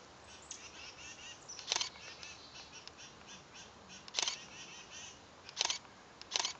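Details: Anna's hummingbird in Newark, Delaware, giving four sharp, dry chip notes at irregular intervals over about six seconds, over a steady high hiss.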